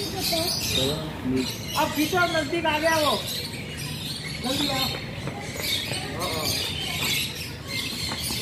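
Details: Blue-and-yellow macaw talking: a string of voice-like syllables, some wavering and some sliding down, packed into the middle seconds, then softer broken phrases against steady background hiss.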